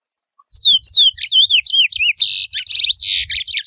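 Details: A chestnut-bellied seed finch in the wild sings in the mateiro style, opening with a run of sweet, looping slurred whistles, then switching to harsher buzzy, rattled notes repeated quickly to the end.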